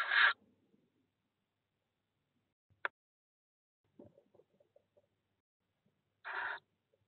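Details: Tawny owl chicks, 12 and 13 days old, in a nest box at De Mortel on 13 April 2021, give two short, harsh, wheezy hisses about six seconds apart, with a single click and faint rustling between them.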